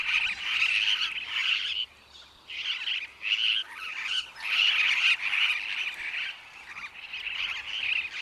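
Superb parrots giving harsh, grating, rolling calls in bursts of about a second, repeated with brief pauses, possibly several birds overlapping.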